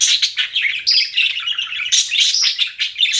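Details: Short burst of budgie chirping: fast, bright twitters and high whistled notes packed closely together.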